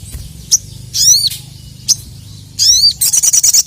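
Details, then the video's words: Crested jay challenging opponents with loud, harmonic, descending ringing calls and brief sharp clicks. The sequence ends in a fast, dry, high rattle of repeated notes over a low background hum. "KICAU SOGON GACOR EMOSI MEMANGGIL LAWAN"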